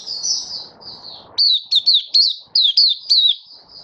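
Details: Malaysian Oriental white-eye, kept as a cage bird, in lively full song: a series of high, sharply rising and falling whistled notes delivered in quick bursts after a soft, hissy warbled opening.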